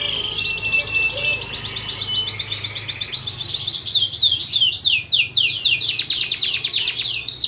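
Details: Fighting canary training song: a short high trill leads into long, rapid zigzagging sweeps of notes that grow louder and wider in pitch.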